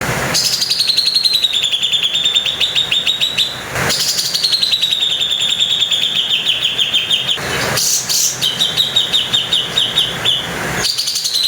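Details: Grey-cheeked bulbul (cucak jenggot) singing harsh 'tembakan kasar' shooting phrases: three long, rapidly pulsed buzzy trills, each about three seconds, sliding from high to mid pitch, separated by brief sharp breaks.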